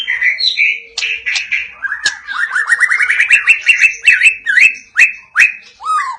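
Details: ["White-rumped shama, Medan type, singing 'cililin' and 'besetan' phrases: a loud warbled opening, then a fast run of rising repeated notes and sharp clicks, ending on a falling whistle."]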